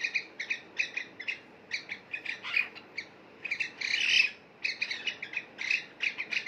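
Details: Bathing pet cockatiels, two birds, utter clipped, ringing chirps in short groups separated by brief pauses, with one longer, rougher squawk in the middle of the run.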